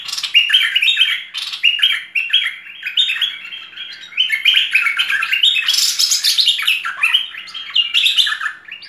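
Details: Continuous rich warbling from a bulbul (merbah lekir) in a full-song tutor recording, quick tumbling chirps and trills running nearly unbroken for nine seconds.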